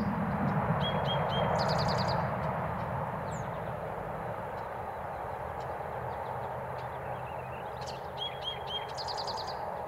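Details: Eastern Towhee sings a variation on its 'drink-your-tea' song twice, a couple of clear introductory notes then a fast bright trill, over steady low traffic rumble; East Ithaca, 8 May 2020.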